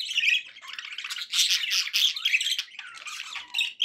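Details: Happy budgerigar sounds from pet birds indoors: unbroken, rapid scratchy warbling with squeaky chirps and clicks layered throughout, loud and steady.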